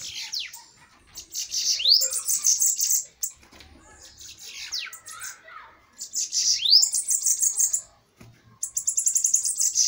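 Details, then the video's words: Bananaquits in a heated fighting duel: high, thin, buzzy trills and rising sweeps in bursts of about two seconds, separated by short pauses, with a young man's voice briefly heard. "DUELO DE SIBITES FOGOSOS!"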